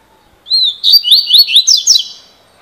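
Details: Double-collared seedeater, called coleiro, in 'cilada' song of the 'fibra' type: a short high whistle, then about six quick down-slurred, buzzy notes in close succession, bright and loud against a quiet background.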